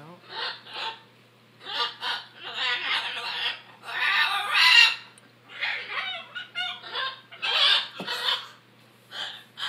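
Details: Noisy captive macaws giving harsh, raspy squeals and squawks in irregular bursts about a second apart, with short quiet gaps between outbursts and a faint low hum beneath.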